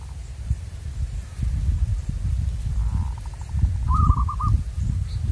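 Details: Zebra dove from the wild, being lured: a soft faint trill followed by one clearer short phrase of a hooked note and quick stuttering pulses, over strong low wind rumble.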